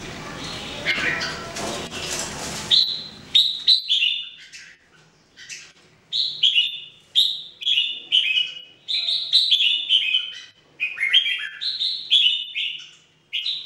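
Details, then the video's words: Red-whiskered Bulbuls kept caged, three birds trained to sing daily; after a burst of rustling noise, a steady run of short whistled, slurred notes follows, repeated about twice a second with brief pauses. "Training Jambul birds singing everyday 2018"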